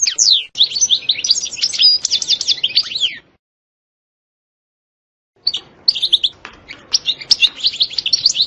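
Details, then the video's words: Goldfinch giving setsta and betbta song: a dense three-second stream of rapid, sliding twitters, a long silence, then renewed scattered chirps and twittering. "تغريد حسون روعة ستستة وبتبتة خرافية محفزة جدا goldfinch jilguero chardonneret"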